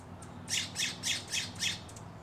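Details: A California Scrub-Jay at an Environmental Learning Center gives five harsh, raspy squawks in quick succession, about three per second, loud and rough against a quiet background.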